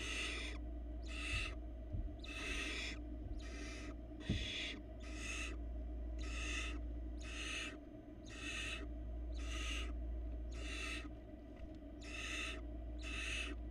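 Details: Barn owl nestlings, four fluffy chicks in a Florida nest cam box, being fed by their mother: harsh broadband rasping hisses about half a second long, repeated roughly every second in a steady series over a low electrical hum.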